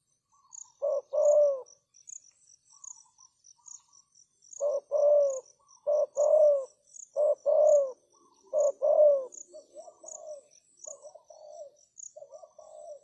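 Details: Spotted dove used as a decoy to attract wild doves repeats paired coos, a brief note followed by a longer, lower, falling coo. Quieter coos trail off at the end, over a steady high insect chirping.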